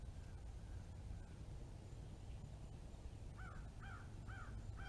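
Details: Red-bellied woodpecker fledgling calling with four husky, slurred notes in quick succession near the end, against constant low background rumble.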